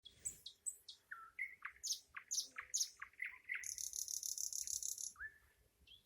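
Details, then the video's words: Nightingale song: varied phrases of sharp chirps and slurred notes, then a fast, even, high-pitched trill of rapid repeated notes, ending in a low, upward-sliding whistle. "Ласкающая слух песня соловья"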